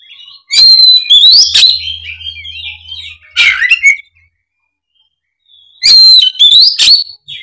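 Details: Oriental magpie-robin in fighting mode, unloading its full song repertoire, used as a lure to get silent magpie-robins singing: bursts of loud whistled notes and harsh chattering phrases, two long bursts separated by a quiet gap.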